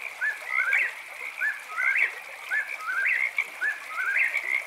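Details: Night song of an eastern whip-poor-will: four rhythmic whistled three-note phrases with a rising, emphatic last note, spaced about a second apart, against a continuous high-pitched frog chorus.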